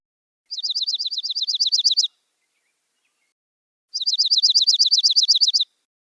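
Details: Dark-eyed Junco giving two ringing, metallic trills of rapid notes on one steady pitch, like a car alarm, each about a second and a half, with a pause between.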